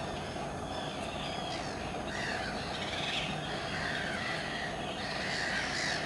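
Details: Common terns at RSPB Saltholme, recorded 17 July 2012: harsh, grating calls rise and fall in overlapping bursts from several birds, with a steady background hum.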